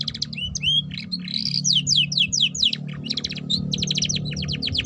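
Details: Canary singing on a lure track meant to coax young canaries into the 'ngeriwik' chattering song. Slurred high whistles lead into steep repeated downslurs and rapid rattling trills, continuous throughout, with a steady low hum beneath.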